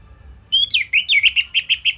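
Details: {'caption': 'Orange-headed thrush singing a simple tutor phrase for songbirds to imitate: a clean rising whistle followed by a quick, regular string of about eight short looping whistled notes, against a faint hum.'}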